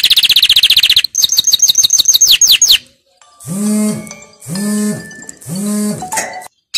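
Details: Canary training song: a dense high trill, then a series of quick rising chirps, followed by three long, low, harmonic droning notes of a different character.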